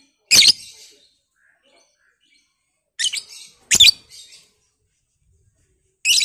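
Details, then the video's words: Batman lovebird, kept to provoke other lovebirds into long chattering, gives four hoarse, high shrieks. The first call is followed by a gap of more than two seconds, the next two come close together, and the last follows about two seconds later. A faint softer chirp sounds between them. "Pancingan Lovebird ngekek panjang"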